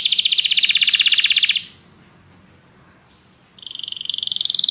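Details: Canary song meant to prompt another canary to sing: a rapid, buzzy trill of tightly packed notes for over a second, a quiet gap, then the fast trill resumes.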